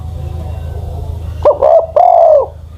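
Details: Aged decoy spotted dove, more than ten years old, used as a ground caller, giving one brief sharp note followed by two drawn-out, steady, gently curving coos after a quiet stretch of low background rumble.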